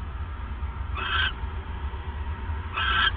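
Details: ['Owl heard at night, 28 December 2014 at 9:42 PM, as the male brings the third mouse; a pair of rasping, hiss-like screeches nearly two seconds apart over a steady low drone.']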